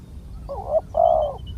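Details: Wild spotted dove with a big, deep voice, heard in a Thai dove-luring context: two low, hollow coo notes about half a second apart, with the second note longer and fuller.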